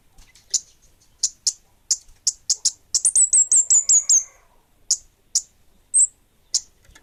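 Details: Orange-headed thrush, bunga api variety, in full voice: repeated sharp high chips roughly every half second, breaking into a fast train of high descending whistled notes, then more spaced chips.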